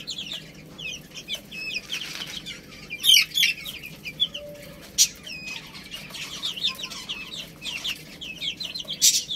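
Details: Rice-eating chicks give scattered high peeps and cheeps while sharp clicks and knocks of pecking punctuate the feeding.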